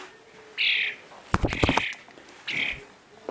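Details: A rescued European starling fledgling, hungry while being hand-fed, gives harsh, raspy begging screeches, three bursts in about three seconds, with a person talking between them.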